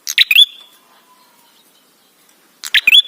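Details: Ashy tailorbird lure song for making birds sing: one emphatic phrase of harsh clicks and a rising whistle, a long quiet pause, then a second matching phrase.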